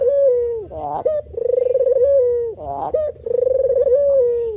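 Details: White variant of spotted dove giving low, mellow cooing phrases: a long pulsing coo held at a steady pitch, broken by short, rough, burry notes with a quick upward flick, repeated about twice within the stretch.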